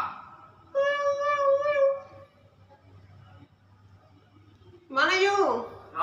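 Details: A common hill myna mimics human-like speech sounds: a long, steady voiced tone, then a falling, meow-like phrase.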